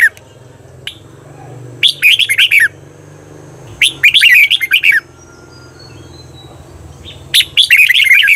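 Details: Red-whiskered bulbul song for training Thai cage birds to double their phrases: three bursts of rapid scratchy warbled syllables, a couple of isolated clicks, and steady low hum throughout.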